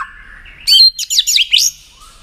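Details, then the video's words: Tail-flicking white-rumped shama giving tach notes that stimulate another shama to sing in contests: a soft low warble, then four or five bright, sharply rising and falling chirps in quick succession. "Chòe lửa tạch đập đuôi kích thích lửa lên lửa rất nhanh kích chim hót đấu hiệu quả"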